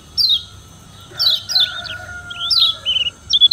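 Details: Lombok kecial kuning white-eye challenging rivals: scattered, softer high slurred notes and short wavering phrases with gaps between, accompanied by a steady humming tone in the background.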